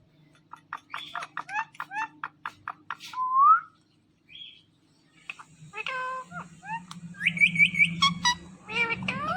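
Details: Indian ringneck parrot making a series of short clicks and ticks, a rising whistle, then chattering speech-like harmonic phrases over a low household hum.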